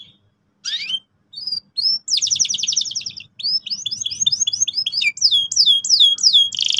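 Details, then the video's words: Domestic canary in full gacor song, used to prompt young birds into sharp rolls: scattered whistled upslurs, a dense rattling trill, then long runs of looping chirps repeated several times per second. "PANCINGAN BURUNG KENARI GACOR EFISIEN AGAR PAUD CEPAT NGEROL TAJAM & PECAH SUARA"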